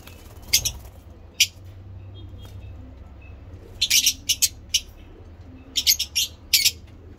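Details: Several harsh, high chirps from breeding lovebirds, scattered single notes first and then a tight cluster of scratchy calls, over a faint background hum.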